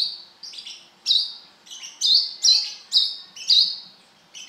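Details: A brown-throated sunbird singing hard: thin high notes, some doubled, then loud, bright chirps roughly every half second, ending in a brief gap. Background silent.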